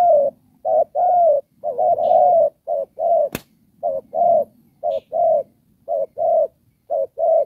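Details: Decoy spotted dove used for trapping, singing Đồng Pha style: a series of soft two-note coos, some run together into longer phrases, interrupted once by a sharp click.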